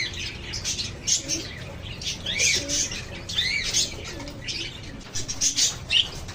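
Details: Lovebirds chatter in a group, giving quick high squeaky chirps and short rising-falling notes in irregular bursts over a low constant hum.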